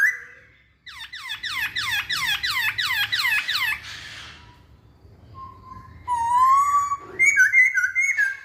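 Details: Masked laughingthrush delivering a fast, rhythmic burst of harsh, down-slurred harmonic notes lasting about three seconds. After a pause come clear whistles and a short rising phrase.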